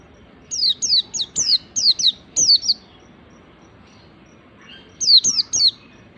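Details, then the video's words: Oriental white-eye song used as a lure to draw and train other white-eyes: a quick series of high, thin, down-slurred whistled notes, about eight in a burst, then a pause and three more, over a quiet background hiss. "pleci ngalas ini paling ampuh buat pancingan segala jenis pleci"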